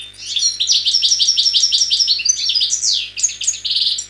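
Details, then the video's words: European goldfinch from the wild in Algeria, 2003 recording: an unbroken stream of quick, liquid twittering notes repeated about three per second, with higher sharp chips and a fluid rising flourish near the end. "حسون خلوي جزائري chant très très rare année 2003"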